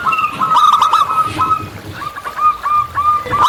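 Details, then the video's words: Overlapping cooing from local zebra doves in nature, a near-continuous stream of fast rolling notes with a second softer caller weaving between, under steady background hiss. "Perkutut Lokal Gacor"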